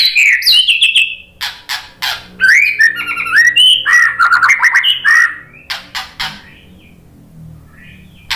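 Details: White-rumped shama song used to provoke other shamas into singing: loud, varied whistled phrases sliding and warbling at mid-high pitch, mixed with sharp clicks and chattering notes, ending in a quiet pause with faint background hum.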